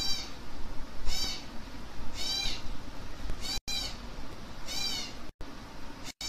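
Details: Hand-fed African grey parrot babies beg with loud, grating, rasping calls, each under half a second long, repeated roughly every second or so, five bursts in all, against a steady low background hum.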